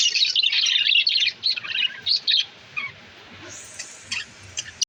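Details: Budgerigars during breeding: a dense burst of high chirping chatter for about a second, then sparse short chirps and squeaks spaced out over quieter moments.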